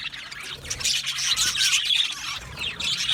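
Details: A flock of budgerigars kept in an aviary keeps up a continuous, busy chatter of high warbling chirps and squeaky notes that overlap without pause.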